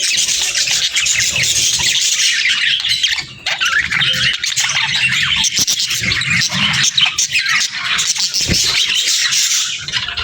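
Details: Pairs of budgerigars banter nonstop: a long, steady wash of squeaky warbling and sharp chirps, dipping briefly around three seconds before resuming at full strength.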